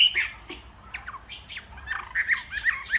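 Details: Hwamei from Northwest Vietnam singing in the morning in contest style: scattered short slurred whistles and harsh chattering notes, with gaps between bursts and a brighter run of quick phrases toward the end.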